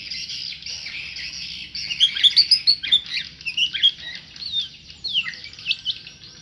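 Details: Tame white-rumped shama singing: a burst of short, sharp high chirps and quick whistled notes in the middle, fading into scattered softer notes, over a steady high hiss throughout.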